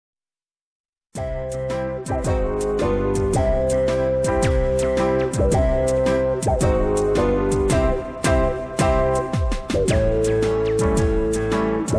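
Upbeat instrumental music with steady percussion and melodic notes plays throughout; no animal sound is heard.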